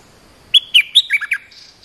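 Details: Bulbul lure song, a territory owner leaping in to attack: a fast, loud run of six whistled notes descending stepwise, followed by a soft faint note at the end.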